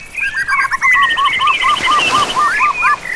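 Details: Several birds chirping and singing together: a dense mix of short, repeated upswept whistles and quick trilled notes, with a steady flow of chatter and no pauses.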